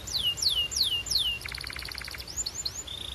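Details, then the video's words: Four clear descending whistles from a canary, followed by a rapid pulsed roll and short rising chirps, ending on a thin level trill. "Relaxing Canary Singing Sounds for Bird Lovers"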